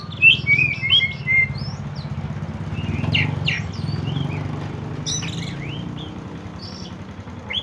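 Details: Oriental magpie-robin of the kacer poci type singing in the fast konslet style, used as a lure to prompt untrained birds. Scattered sharp whistles and chirps over a steady low engine rumble, like a passing motorcycle.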